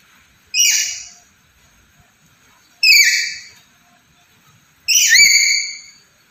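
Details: Three loud, harsh squawks from a black-capped lory, spaced about two seconds apart, each a buzzy blast that falls off, in otherwise quiet surroundings.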